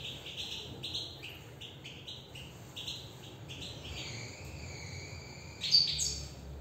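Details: European goldfinch singing: a fast run of clear high twittering notes, then longer drawn-out tones and a sharp loud note near the end, with a faint low background hum.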